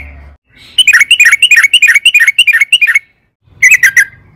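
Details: Excited 'ropel panjang' song of a sooty-headed bulbul, meant to spur caged birds into singing; a steady string of about ten bright, bubbly notes, a short gap, then a clipped three-note burst.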